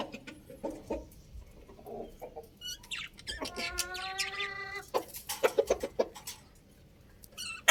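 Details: Young rooster, one of two crowing loudly: a single sustained, harmonic-rich crow lasting about one and a half seconds midway, framed by short clucks, scratchy bursts and chirpy sounds before and after.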